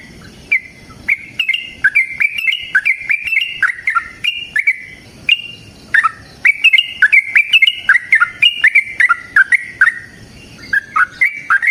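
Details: Sooty-headed bulbul belting long fighting song, played as a lure: cascades of quick liquid whistles, bursts separated by brief pauses, energetic and unbroken for most of the stretch.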